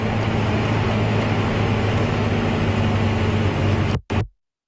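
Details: Steady engine rumble from a safari vehicle on an early morning drive, heavy low drone throughout, then cutting out abruptly near the end with a brief burst before silence.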